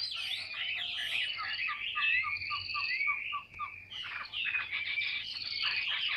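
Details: Captive tame Chinese hwamei singing against a faint background hiss, varied slurred whistles with a neat series of short downward-flicked notes in the middle.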